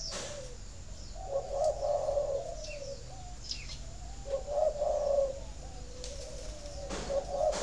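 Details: Low, mellow spotted dove coo phrases, three in a row, from a Vietnamese breeding farm in Ba Vì, Hanoi, played to stimulate laying; quick thin chirps of other birds and a few clicks in between.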